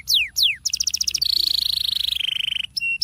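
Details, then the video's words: Canary lure song for prompting other canaries to sing: two swooping falling notes, then a fast pulsed trill that settles into a long even rolling trill, ending with short high whistles. "30 detik ngerol Pancingan Ampuh buat kenari kurang gacor sekali tarik kenari pasti ikut bunyi"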